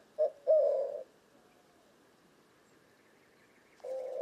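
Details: White-winged dove of western North America cooing: two short low hooting notes, a pause, then another coo beginning near the end.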